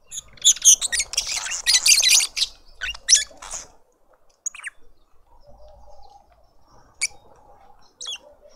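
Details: Lovebirds feeding a juvenile in a Pretoria suburban garden, South Africa. Dense, loud, shrill chattering chirps fill the first three seconds, then fade to scattered single chips over a faint background hum.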